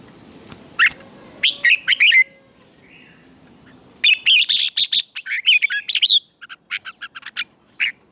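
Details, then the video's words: Red-whiskered bulbul singing in the morning for contest training: a few sharp notes, then a faint low murmur, then an energetic rush of chattering, warbled phrases and spaced bright chirps. "Luyện chào mào hót sáng hót hay"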